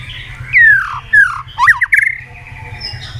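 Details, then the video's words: White-rumped shama singing, used as a lure to get silent shamas singing: long loud downslurred whistles, then a quick jumble of twisting notes and a fading whistled tail. "pancingan murai batu gacor bikin yang lain DOWN!!pancingan burung murai batu nyaut"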